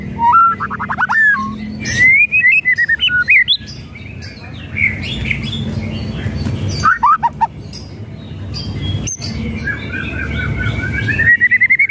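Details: White-rumped shama whistles and rattles used as a lure to provoke a lazy bird into singing: clear rising and falling whistled phrases broken by short dry rattling bursts, with a low steady hum underneath.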